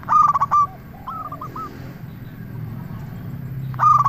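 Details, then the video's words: Local zebra dove lure song meant to excite other doves: a loud clipped coo burst opens, soft hooked notes follow, then a pause over background hum before another loud burst at the end. "Perkutut Lokal Gacor RAJA PIKAT Ahlinya Bikin Semua Burung Perkutut Langsung Nyaut"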